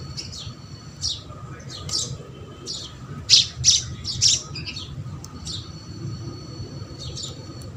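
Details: Feeding house sparrows chirping in irregular bursts, a few louder harsh squawky notes clustered in the middle, against a faint low hum.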